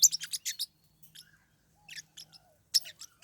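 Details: Captive Pacific parrotlets fighting: a rapid series of sharp, high scratchy chirps, then quieter scattered squeaks and a thin whistle, ending with another sharp chirp burst.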